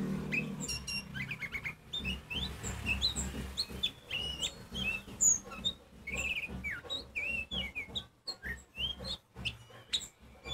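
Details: Oriental magpie-robin (kacer poci) stringing together a loud, varied song meant to provoke other magpie-robins. Rapid chirps, slurred whistles and squeaky notes change pitch constantly, with brief pauses between phrases.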